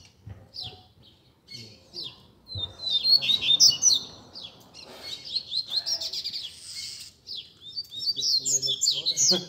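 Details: Captive Double-collared Seedeaters singing together as a warm-up for a competition bird: dense, fast high-pitched twittering and whistled trills from several birds overlapping, rising into a lively continuous chorus with brief pauses.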